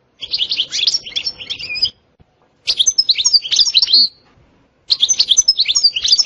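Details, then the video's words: European goldfinch giving three bursts of bright, jumbled twittering, each lasting one to two seconds and separated by short silences. The song is described as having 'sitsita' and 'bitbita' phrasing and being very stimulating. "تغريد حسون روعة ستستة وبتبتة خرافية محفزة جدا goldfinch jilguero chardonneret"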